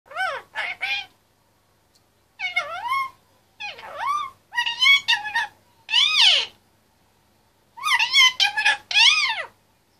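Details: Pet male Indian ringneck parakeet, 25 months old, chattering in his cage: loud, harmonic, speech-like phrases with rising and falling inflections in bursts separated by short silences, in a quiet indoor room.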